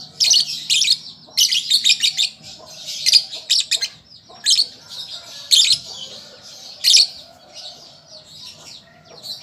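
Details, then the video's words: Shrill chattering from a juvenile lovebird learning its song, delivered in clustered high bursts of chirps broken by brief quieter gaps. "Pancingan Lovebird Paud Belajar Bunyi Ampuh Langsung Nyaut"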